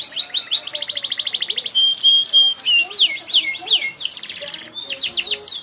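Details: Varied canary singing at full voice: rapid ringing trills, a sustained buzzy stretch, looping slurred whistles and quick chattering phrases, with faint low background sounds underneath.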